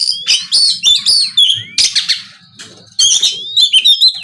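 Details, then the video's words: ['Oriental magpie-robin singing loudly to provoke rivals. Rapid, varied phrases of bright whistles, chirps and downslurred notes in quick succession, with brief pauses between bursts and faint low knocking underneath.'] "TERAPI SUARA BURUNG KACER GACOR NGEPLONG INI DIJAMIN BIKIN LAWAN LANGSUNG NYAUT BUNYI GACOR!!"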